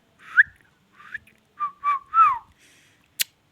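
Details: Ringneck parrot uttering a short run of five warbling whistled notes, some rising and some falling, with a single sharp click at the end.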